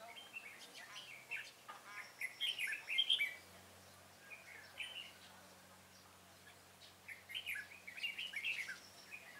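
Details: Red-whiskered bulbul used as a decoy during bird trapping on 25 April 2017, singing a fighting song: bright warbled phrases in short bursts, loudest around three seconds, another flurry near the end, over a low steady hum.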